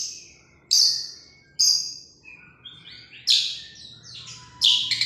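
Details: Long-tailed shrike at a singing competition, delivering harsh scratchy bursts interspersed with softer whistled and warbling notes, varied and irregular.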